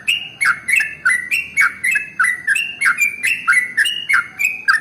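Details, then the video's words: Trucukan, the sooty-headed bulbul, delivering rapid ropel song meant to coax other birds into singing; short chirpy whistled notes about three per second, each stepping down from a higher note to a lower slur, steady and continuous against soft background noise. "SUARA Trucukan ropel SUPER PANJANG paling AMPUH untuk PANCINGAN burung gacor"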